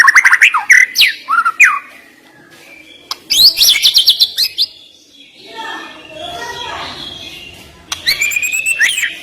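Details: White-rumped shama song used to rouse a reluctant bird: bursts of sharp, rapid whistles and chirps sweeping high and low, broken by a quieter muffled stretch, then a fresh loud burst near the end.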